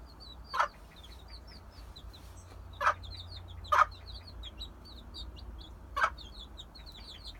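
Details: Mother hen with her young chicks: high, thin peeping from the chicks runs almost nonstop while the hen gives four short, sharp clucks spaced a second or two apart.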